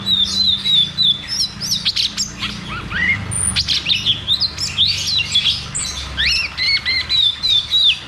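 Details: Cucak cungkok in rolling "ngeroll tembak" song meant to stir silent caged birds into singing: rapid series of high whistled phrases and sharp chirps, roughly three per second, with a faint low hum beneath.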